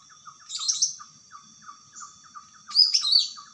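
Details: In the wild, a greater green leafbird sings two bright bursts of quick, tumbling high whistles, separated by a run of soft rhythmic chirps from the background, with a thin steady high drone throughout.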